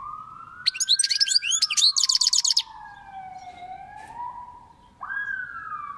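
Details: Goldfinch song of varied chirps that runs into a fast, buzzy, evenly repeated trill, over a continuous, gliding whistle-like tone that rises and falls in the background.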